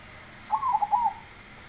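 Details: Zebra dove, a big-voiced baron, singing one loud phrase of a rising coo followed by quick rounded staccato notes, against a low hum.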